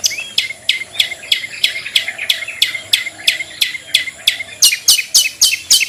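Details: Long-tailed shrike ngetet song offered as a lure for shrikes slow to sing: quick repeated downslurred notes, about three a second, growing louder and harsher toward the end against a low buzzing background.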